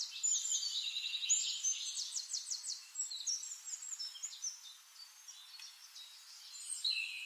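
A flame-faced tanager gives thin, very high, sharp chips and quick sibilant trills in an irregular run, with a soft natural background.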